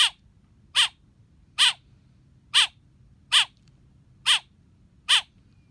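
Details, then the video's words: Young blackbird giving loud, raspy chirps at a steady pace, seven in under six seconds, each short and buzzy, over a faint low hum. "Baby black bird chirping"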